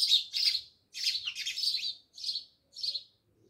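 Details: Close, loud house sparrow chirps near a Jamnagar village house, several drawn-out bright notes run together, then two separate chirps.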